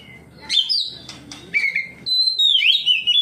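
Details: Oriental magpie-robin answering a rival's singing in ngeplong style, bringing out its repertoire: bright whistled notes with downward sweeps, a short slurred phrase, then a sustained high warbling whistle that dips and rises.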